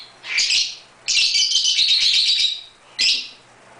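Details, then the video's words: Indoor birdroom with two pet lovebirds at play: a short shrill chirp, then a long scratchy chattering burst lasting over a second, and a final harsh chirp, all high-pitched and grating. "The Love birds"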